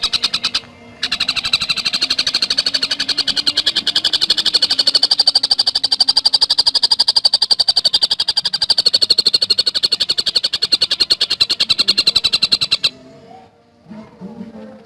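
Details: Javan cuckooshrike in a long, dense 'gacor speed rapat' song: an unbroken stream of high, clipped notes at about four per second lasting roughly twelve seconds, then soft background noise.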